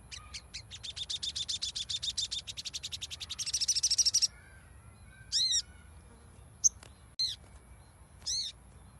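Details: Sogon, the crimson sunbird, played to prompt a silent bird to sing: a high, fast trill that builds in strength for four seconds and stops abruptly, then three arched ringing notes and one sharp chip.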